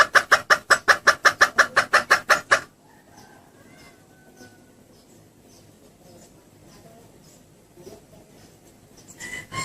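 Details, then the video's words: Female red junglefowl lure call aimed at males: a rapid run of about a dozen raspy clucks, then quiet background with faint scattered sounds and a last loud note at the end. "suara pikat ayam hutan betina"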